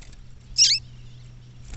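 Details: One short, bright, high chirp dropping quickly in pitch from a female double-collared seedeater calling in the bush, over a low steady hum.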